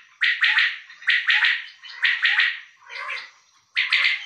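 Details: Calling male common quail: three sharp, liquid triple-note phrases at a regular pace, a softer blurred phrase, then a short silence before another triple burst.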